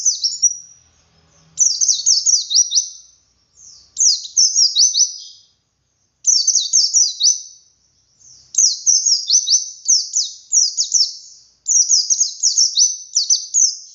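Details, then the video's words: Wild white-eye singing the long ngalas style with "wit wit" variations, used to prompt captive birds to sing: very high, thin, rapid twittering phrases of sweeping notes, each burst lasting one to two seconds and separated by short pauses. "Suara Burung Pleci Ngalas Untuk Pancingan Pleci Bahan"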